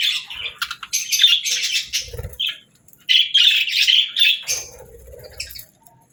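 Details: Budgerigar singing two bursts of rapid, scratchy twitter and squeaky notes with a quiet pause between them, and a light tapping sound near the end.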